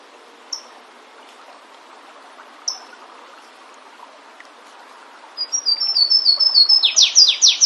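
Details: Wild flavescent warbler singing in nature: two isolated short high chips, then after a pause a quick series of thin whistles building into loud descending slurred notes at the end, over a quiet natural background.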